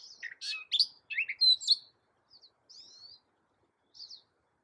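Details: A Gray Catbird, an American bird known for mimicking cat sounds, gives a quick burst of scratchy, squeaky phrases over two seconds, then trails off into a few thin high whistled slurs separated by silence.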